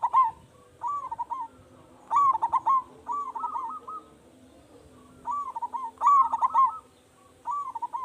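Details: Local Indonesian zebra dove with a big, vigorous voice, used as a lure to provoke other doves to answer; bursts of rapid stuttering coos ending in a rolling trill, repeated every couple of seconds, with faint low hum behind.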